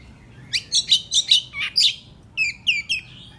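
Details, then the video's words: Oriental magpie-robin singing an agitated morning song meant to provoke other birds: loud, high whistled and buzzy notes in quick bursts, then a pause and a run of rising whistled slurs, all over a quiet background. "Pancingan Kacer Bikin Emosi Agar Kacer Gacor ! Buka Ekor Ngobra"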